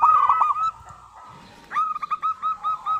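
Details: Zebra dove of a local strain singing as a lure for other doves. It opens with a loud, slightly rough coo, a short lull follows, then a quick series of clear, evenly pitched notes.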